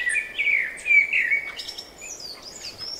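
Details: Birds singing in spring: a warbling run of quick slurred notes, rising and falling, then higher thin twittering notes toward the end, over a quiet background hiss.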